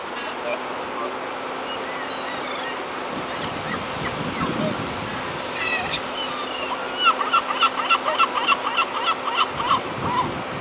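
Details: Whooper swans at Hoganfield Loch on 14 October 2021: a series of nasal, bugling honks building up over the last few seconds, repeated several times a second, over steady background rumble and a low hum.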